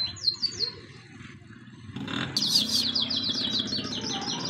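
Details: Pet birds giving a few high chirps, then a brief burst of noise, followed by a fast, even series of repeated down-slurred tweets over a low rumbling background.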